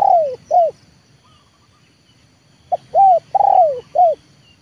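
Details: Spotted dove kept as a trained luring decoy, coos in quick arched notes; one phrase ends, then a fresh sequence of a short note, two long curved coos and a tight final note follows after a short quiet gap.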